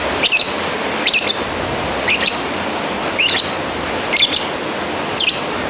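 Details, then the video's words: Lovebird call aimed at a rival, six sharp piercing chirps, each a quick wavering squeak, spaced roughly a second apart against steady background hiss. "Suara Asli burung lovebird Manggil lawan"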